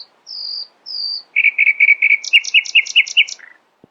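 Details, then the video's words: Early-morning nightingale song: two long high whistles, then a quick run of repeated rich notes building into a rapid, rattling double-noted phrase and a lower closing note. "Nightingale screamed in the early morning, proudly displaying her poetic singing voice."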